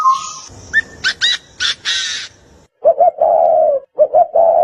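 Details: Bird calls: a few short high buzzy chirps, then three low, hollow, cooing hoots near the end, separated by brief pauses.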